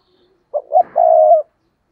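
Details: Single coo phrase from a decoy spotted dove in a tree, luring wild doves: two short soft notes followed by a longer steady croon, clear and close.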